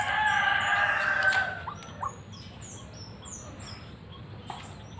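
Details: White-breasted waterhen, a vocal fighter bird for luring, giving one loud, harsh, drawn-out croaking call with a buzzy, rasping tone. It stops abruptly and is followed by a couple of faint notes and quiet background.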